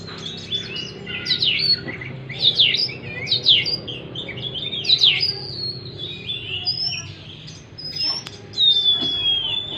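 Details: Oriental magpie-robin song for coaxing a stressed bird that stopped singing: clusters of sharp, steeply sweeping notes and rasps, then a pause and a long falling whistle, light background hum.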